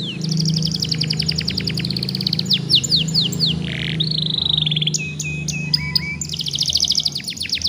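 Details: A young canary, used to stimulate other young canaries to sing, gives rapid high trills, a buzzy slurred section and sharp whistled notes. A low droning hum runs throughout.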